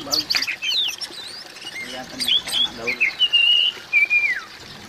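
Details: Oriental magpie-robin calls, played to coax a silent magpie-robin into singing: a series of varied clear whistles, some rising and some falling, ending in a longer level whistle and a drawn-out falling note.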